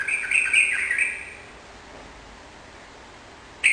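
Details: Sooty-headed bulbul in full lively song to encourage a kept bird to answer; one warbling whistled phrase about one and a half seconds long, then silence and the start of another.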